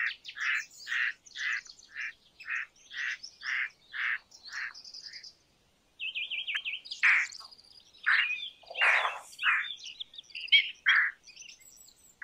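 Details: Indian roller calling with a run of short, rasping croaks in steady rhythm, a brief pause, then more harsh notes mixed with thin, high chirps from other birds.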